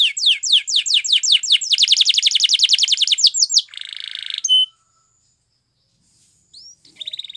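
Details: Training song of a canary: fast falling whistles run into a very rapid ringing trill, then a harsh buzzy rattle and a pure whistle; after a silence come a rising slur and a soft trill.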